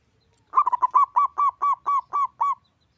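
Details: A local zebra dove with a big, loud voice gives a rolling run of about ten clipped, hooked coos. A quick stutter opens it, then the coos settle to an even pace of about three per second.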